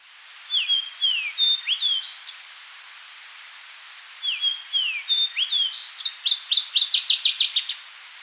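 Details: Fox Sparrow in the Seal River watershed, boreal forest breeding grounds: two bright whistled phrases of slurred notes rising and falling, likened to R2D2, the second ending in a rapid burst of high chips; quiet background.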